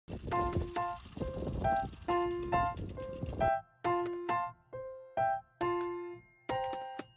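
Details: Piano music plays a sequence of separate chords and notes, each one ringing and fading, with no animal sounds audible.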